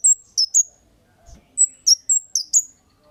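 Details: Kemade giving sharp 'cit' chirps, played as a lure to make other birds answer; thin, high, downward-sliding chirps in quick pairs and triplets, about eight notes over three seconds, with a faint low thump in a quiet background.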